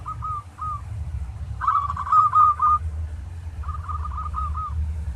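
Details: Local zebra dove giving a training song in the tarik style: scattered single coos, then a bright rapid rolling phrase, then a softer trilled run, set against a continuous low droning hum.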